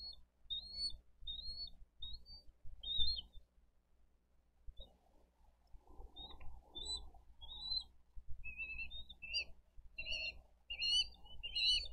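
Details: Bald eagles at a Dade County nest on a live camera, 22 April 2023, adults bringing fish and feeding two eaglets; thin whistled chirps in short series, growing denser near the end, over low rumbling background noise.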